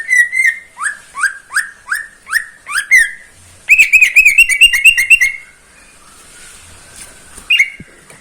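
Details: Caged greater green leafbird singing in the morning: a series of upslurred whistles repeated about twice a second, then a fast rattling trill of chips, then a lone whistle after a pause.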